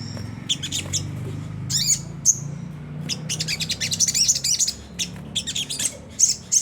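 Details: Sunda whistling thrush in a rough chattering 'ngriwik kasar' style, used as a lure to make caged birds sing: bursts of sharp, high, buzzy chips, sparse at first, then dense rapid runs, over a steady low hum.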